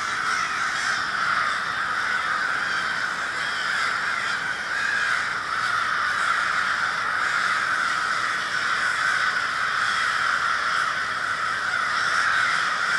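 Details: Crows massed in a big flock in Minneapolis, Minnesota, February 20, 2020, their many overlapping caws merging into a steady, unbroken roar.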